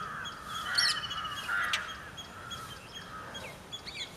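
An Indian roller gives harsh, rasping, crow-like calls in short bursts.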